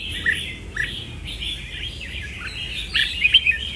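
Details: Soft, jumbled red-whiskered bulbul warbling, ending in a louder run of sharp whistled notes.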